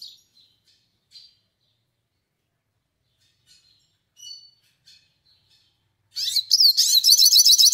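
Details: Melodious song of a yellow-faced siskin: sparse, quiet high chips and thin whistled notes with long pauses, breaking into a loud, dense, rapidly repeated high trill over the last second and a half.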